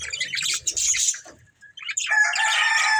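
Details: Budgerigar breeding pair, caged love birds, giving dense scratchy chirps and warbling chatter in two bursts separated by a short quiet gap.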